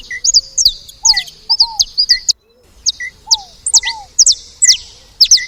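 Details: Saffron finch at a seed feeder giving bright, high chirps in short bursts, with a brief pause midway, mixed with softer mid-pitched notes and lower slurred whistles.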